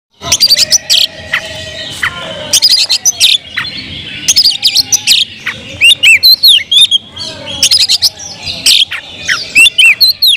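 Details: Oriental magpie-robin singing loudly in kemrayak style to provoke other magpie-robins: bursts of harsh, buzzy rasping notes alternate with sharp whistled slurs that rise and fall, in dense repeated phrases over a faint steady hum.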